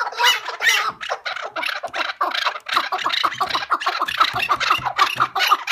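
A partridge gives harsh, scratchy clucking notes in a rapid, uneven chatter of about two bursts a second, with nothing else clearly heard.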